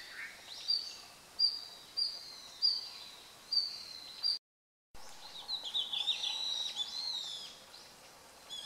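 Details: Red-flanked bluetail in winter, recorded 24 November 2012, giving its ground call: thin, high, short notes repeated about every 0.7 seconds, then a short break and a jumble of faint chirps, over a steady background hiss.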